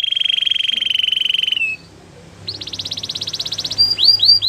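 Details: Singing canary used to prompt other canaries to sing: a sustained fast pulsing trill, a brief gap, a higher rattling roll, then a few sharp sweeping whistles.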